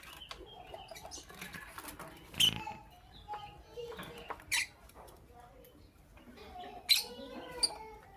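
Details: Lovebird chirping in the morning: sharp, harsh broadband chirps burst out about two seconds apart, with three standing out loudly against soft background twittering.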